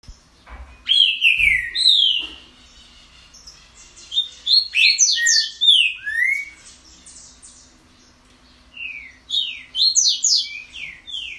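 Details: Green-winged saltator giving an unusual, different song: loud slurred whistled phrases sweeping down from high pitch, delivered in bursts separated by pauses, with sharp high chirps interleaved and a faint low hum beneath.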